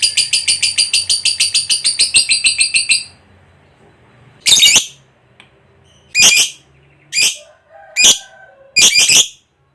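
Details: Lovebird ngekek trill played as a lure for other lovebirds: three seconds of fast, high chattering, then a pause followed by five short, harsh squawking bursts spaced roughly a second apart.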